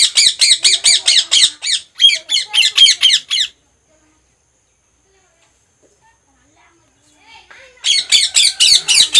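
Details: Pet Indian ringneck parakeets kept indoors give bursts of harsh, rapid squawking notes, about four per second, in two runs separated by a few seconds of silence.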